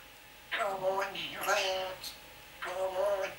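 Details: Pet African Grey parrot chattering indoors in a small room, three bursts of speech-like, voice-toned phrases with rich harmonics, separated by short pauses.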